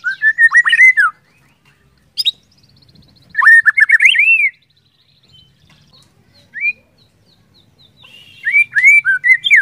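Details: Lure song of a white-rumped shama, meant to set other shamas singing: quick runs of sweet rising whistles, then a long thin buzzy trill and single upslurred notes, ending in another fast whistled burst.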